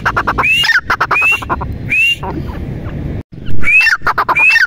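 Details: Grey francolin, known locally as teetar, giving loud rising whistled notes with harsh clicking pulses in short bursts, broken by a brief silent gap and a stretch of low rumbling background noise.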